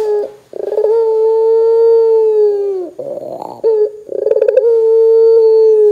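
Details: Barbary dove calling to get other doves to start calling: long, loud, steady low coos, each ending in a slight downward slide, broken by short rolling, pulsed notes between them.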